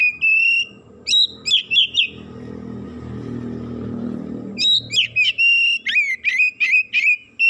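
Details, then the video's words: An excited Oriental magpie-robin belting out its isian repertoire: clusters of loud, bright whistles and chirps, a pause filled by a low rumbling engine-like drone, then another dense run of sharp whistled notes. "DENGAN HITUNGAN DETIK KACER NAIK EMOSI BONGKAR ISIAN"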